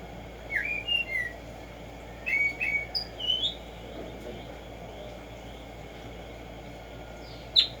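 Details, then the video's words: Black-striped sparrow singing in the morning: clusters of short, swooping whistled notes in the first half, then a long quiet stretch ended by a single sharp high note. "HACER TRINAR a Tumba Yegua Audio para estimular el CANTO a estas bellas aves en la NATURALEZA"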